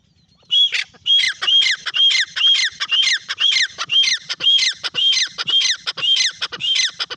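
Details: Francolin giving a long run of strident, grating notes, evenly repeated about twice per second after half a second of near silence; each note is rasping and high, over a faint low background hum.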